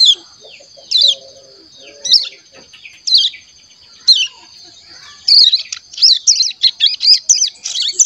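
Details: Young caged ciblek gunung, just over a month old, practising its first song (ngeriwik): sharp high chirps spaced about a second apart, then a quick run of buzzy twittering notes, with faint low background sounds.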